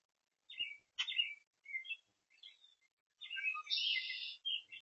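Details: Oriole recorded on 5/13/26 giving a string of short chirps and scratchy notes, then a longer, dense, harsh chatter followed by one final chirp. The background is otherwise quiet.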